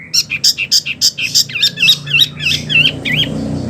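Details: Rhythmic Wambi phrases for training oriental magpie-robins and other cage birds: evenly spaced chirps about three per second, then looping wavy whistles over a faint background hiss.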